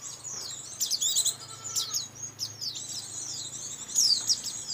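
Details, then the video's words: White-eye lure sound from Indonesia, used for catching white-eyes: thin, high twittering with quick downslurred chips in scattered bursts, fairly faint over a soft low hum. "suara pikat burung pikat pleci"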